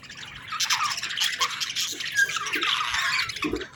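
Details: Baby budgerigars calling for food. Continuous scratchy, buzzing chirps overlap at steady strength, with a few soft low knocks underneath.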